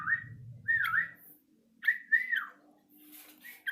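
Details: Yellow-vented bulbul learning to sing: warbling whistled notes that swoop up and down, in three short bursts with gaps, and a low hum at first.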